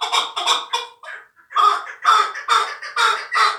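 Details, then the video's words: Harsh clucking notes from a young fighting chukar partridge: three quick chucks, a brief gap, then a stronger, evenly spaced run of rasping calls. "Кабки Кучим"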